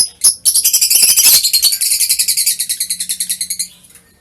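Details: Lovebird song, recorded 21 March 2023: a dense rapid chatter of high buzzy notes that settles into an even pulsing series, about three or four notes a second, fading out at the end over a faint low hum.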